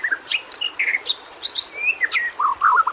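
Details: White-rumped shama song for training other shamas: varied clear whistles and slurred notes, some sliding down and some up, ending in a quick run of lower warbled notes, with soft background hiss.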